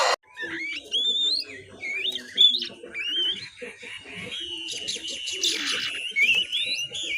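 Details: Young oriental magpie-robin learning its ngiriwik song: a series of rising, slurred whistles followed by scratchy, rasping twitter, over a faint low murmur.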